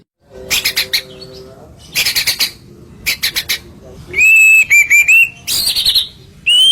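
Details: White-rumped shama song played as masteran to make other birds respond: clusters of rapid dry broadband clicks and rattles, then clear high whistled notes, some level and some rising, ending in a harsh burst.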